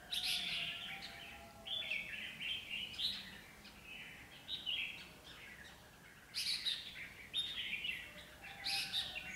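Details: Two decoy red-whiskered bulbuls set for trapping in Bắc Giang province, Vietnam, sing almost continuously. Dense overlapping warbled and chirpy phrases, some reaching high, sound over outdoor noise, with people speaking nearby.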